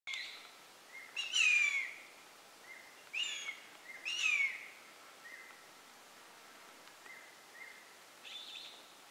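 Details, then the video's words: Changeable (crested) hawk-eagle at Ghotpadi, Bhamragad, 19 October 2018, gives loud, shrill, down-slurred whistles every couple of seconds, with faint short notes from another small bird in between. "Crested hawk eagle call | changeable hawk eagle call"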